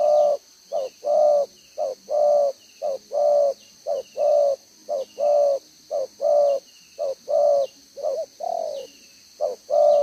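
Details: Two-row collared spotted dove, a wild-type decoy bird, cooing in the one-ending 'gáy 1 hậu' style on 11 June 2023: continuous rhythmic short-long mellow coos about one pair per second, with a constant high-pitched background hum.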